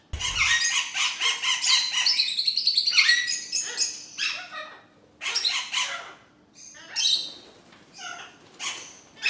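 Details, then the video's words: A group of kept exhibition budgerigars. Loud scratchy warbling and chirping pours out for about three seconds, then breaks into separate bursts of chatter with short quiet gaps between them. "Parrot Natural Voice | You Can Hear Different Types of Sounds | Parrots Talking Sound"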